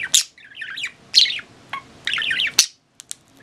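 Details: Old pet budgerigar giving a quick run of wavering, zigzag chirps and short squeaky warbles, punctuated by a few sharp ticks, over a quiet indoor background.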